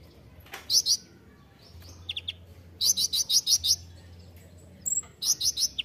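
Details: Kolibri ninja (Van Hasselt's sunbird) on a master recording meant to train songbirds: pairs and a run of six loud, piercing high notes, a few softer chips between, and a closing pair of sharp notes.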